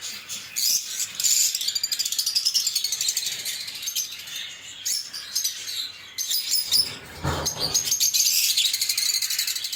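Lovebirds chatter in a steady stream of shrill, squeaky chirps and rapid twitters, with a brief thump or rustle near the end.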